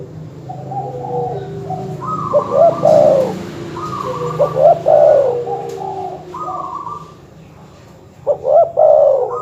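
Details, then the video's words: Repeated dove coo phrases, used to provoke rival birds, with rising notes and long mellow coos. Short, evenly repeated chirping notes and a low hum run underneath, with a quiet gap before the final phrase. "suara masteran terkukur/kutut bikin emosi lawan"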